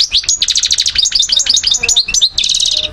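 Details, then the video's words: European goldfinch from Algiers, Algeria, 2012, pouring out quick tinkling, chirping notes and looping whistled slurs in a rapid, steady stream, ending with a buzzy rattling trill. "Carduelis* chardonneret* jilguero* حسون"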